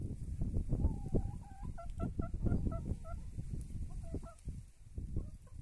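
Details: Free-range laying hens clucking outdoors: short, nasal, harmonic clucks in quick irregular runs, some with a slight rising or falling bend, over dull low thumps and shuffling ground noise.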